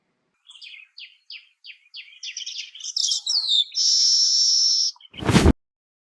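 Weaver bird: a run of quick, falling chirps that quickens into a chatter, ending in a long sizzling hiss, then a sharp click.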